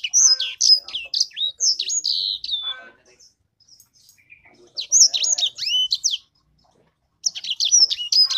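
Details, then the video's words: Sanger songbird giving three bursts of quick, high, chattering twitter separated by pauses of one to two seconds. "Burung sanger beneran sangar suara nya"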